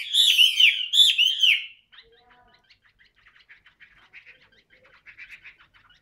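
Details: Caged Chinese hwamei with yellow legs and yellow beak, fanning its tail, sings two loud rich slurred whistled phrases, then falls to soft scattered twittering notes.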